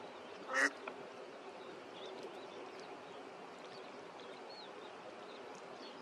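An Audouin's gull gives one short, harsh, hoarse call near the start, followed by faint distant calls over a steady low background hiss.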